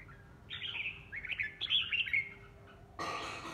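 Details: Red-whiskered bulbul decoy bird giving a rich warbled phrase of rising and falling notes, followed by a sudden broadband rustling noise.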